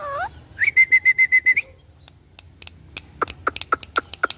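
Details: A pet ringneck parrot gives a rising, voice-like sound, then a rapid series of six pulsed whistle notes on a level pitch, followed by scattered sharp clicks and ticking notes.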